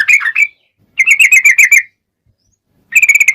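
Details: Sooty-headed bulbul in fighting song, used to coax other bulbuls to sing: three short bursts of quick, bubbly whistled notes separated by brief silences.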